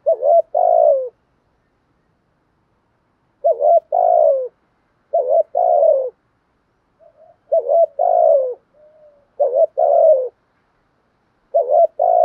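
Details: Repeated low cooing phrases from a spotted dove in the 'thúc gù kèm dày' style, used to excite wild doves. Each phrase is a short note and a longer descending coo, with irregular pauses and faint murmurs between.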